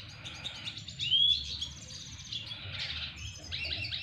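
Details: Red siskin of the double dilute type courting a female, giving a thin rising whistle followed by continuous high twittering and short buzzy trills.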